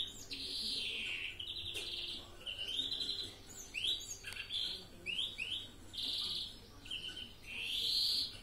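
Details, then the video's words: Mixed song (karışık ötüm) of a European greenfinch: a varied run of fast ringing trills, short downslurred twitters and rapid chirps, with a drawn-out wheezy buzz near the end, over a steady low hum. "Florya karışık ötüm (carduelis chloris) greenfinch"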